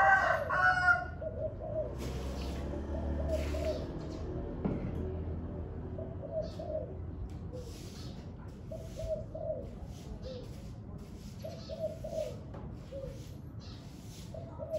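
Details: Spotted dove calling on a very windy day: soft low coos in short phrases, repeated several times over strong wind rumble, with one brief louder noise near the start.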